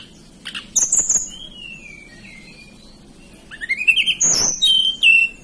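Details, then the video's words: {'caption': 'Hill blue flycatcher, a local bird from the mountains of Banten and West Java, Indonesia, sings high thin whistled phrases: short sharp notes early, then after a pause a run of rising and falling whistles with bright upper notes.'} "Tledekan Gunung lokal asli Banten"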